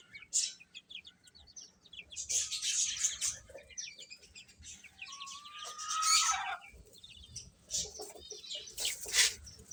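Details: Young chickens peeping as they feed, with clustered high chirps and one longer whistled note that slides downward near the middle.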